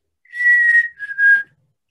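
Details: A Black-capped Chickadee gives its clear two-note 'hey birdie' whistle, sometimes called the spring song though often begun in January: a long, steady higher note, then a slightly lower one, pure and sweet. No other sounds.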